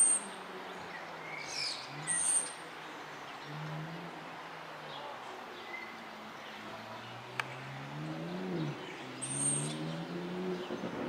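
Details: Common Starling song recorded 26 April 2024 at Prule, Ljubljana: brief, high squeaky bursts and chirps every few seconds over a low, wavering hum, probably from nearby traffic.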